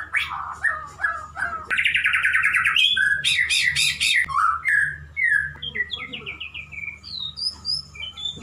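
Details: Male white-rumped shama kept as a pet, singing to court a female: a varied run of rich whistled phrases, fast rattling trills and sharp upslurred notes, with jumps between low fluting notes and high squeaky ones.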